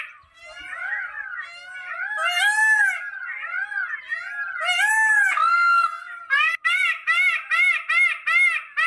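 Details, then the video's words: A peacock (Indian peafowl) gives loud, nasal, wailing cries, first drawn-out and overlapping, then a quick run of short harsh honks about twice a second; no other sounds stand out. "Peacock Sound, Peacock with Sound, 6 Minutes Long Sound of Peacock || Peafowl Sound"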